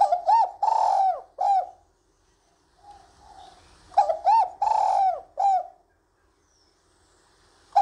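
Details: Female spotted dove calling to stimulate the male, used to encourage a male to call; clear grouped cooing phrases of hooted, slightly wavering notes, two bursts separated by a pause, in quiet surroundings.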